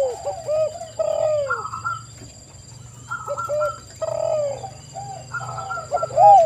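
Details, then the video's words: Several spotted doves cooing together as a lure for wild doves: soft downslurred and arched coos with some higher, flatter notes layered on top, over a low droning hum and a faint high electronic tone. "TEKUKUR GACOR suara merdu"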